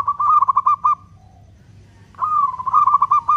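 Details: Local zebra dove, a strong singer with long beats used to provoke other doves into singing: two cooing phrases, each a brief rising coo running into a quick string of about five pulsed notes, separated by a pause over low hum.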